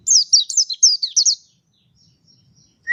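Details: One quick phrase of about eight high, down-slurred notes from a mountain white-eye, followed by near silence and the start of a lower rising note at the end.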